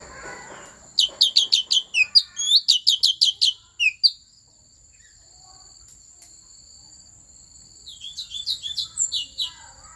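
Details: Asian fairy-bluebird from the forests of Vietnam's Central Highlands, singing to stir up other birds: a quick run of sharp, bright chirped notes for about three seconds, a pause, then a softer second burst, over a steady high whine.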